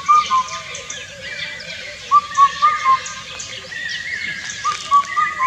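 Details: Indian cuckoo (Cuculus micropterus) giving its loud four-note hooting song. Two full phrases of mellow whistled hoots and the start of a third, with another bird's higher drawn-out calls behind.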